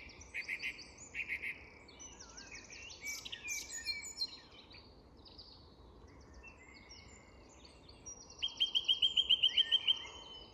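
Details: Song thrush at dusk in an English woodland, a varied run of whistled and chattering phrases ending in a fast series of about nine identical sharp notes repeated in quick succession, with a soft chorus of other birds.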